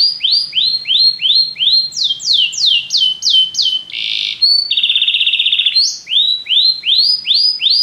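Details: Canary song of varied tours: repeated upward-curving whistled notes, a series of falling sweeps, a harsh buzzy burst, a fast rattling trill, then more rising whistles, loud and close.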